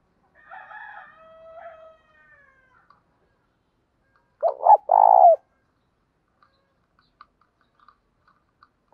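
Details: Spotted dove decoy calling: faint, softer coos at first, then one loud doubled note and a purring coo midway, followed by quiet clicks.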